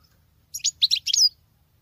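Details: Female European goldfinch singing as a male would; a single short burst of five or six bright, chirpy high notes, otherwise quiet.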